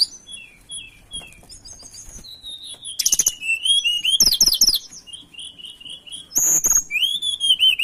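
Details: Mountain tailorbird (tledekan gunung) song used as a lure for other birds: high, thin whistles that overlap in layers, broken by short bursts of dense, scratchy chatter and ending on a rising whistled slur.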